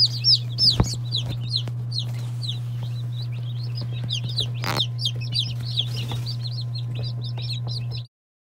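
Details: Mixed-breed day-old chicks (Lavender Orpington, Marans, Silkie, Serama, Legbar, Salmon Faverolles) give many overlapping high, piercing peeps in quick succession, with a few sharp knocks and a constant low electrical hum underneath, ending abruptly.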